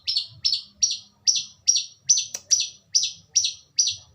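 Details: A Long-tailed Shrike (Lanius schach) in full, active song gives a steady series of about ten harsh, high chirping notes, one every half second, with a faint low hum beneath.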